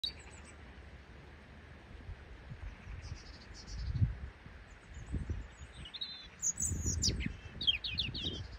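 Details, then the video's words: A robin sings on a tree, giving high, thin, slurred phrases in short bursts separated by pauses, over steady low wind rumble. "Robin Sings on a Tree"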